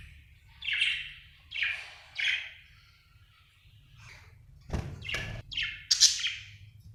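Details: Happy budgerigar chirping: a series of short, scratchy chirps, three spaced about half a second apart, then a thump and a quick run of brighter chirps, over faint low hum.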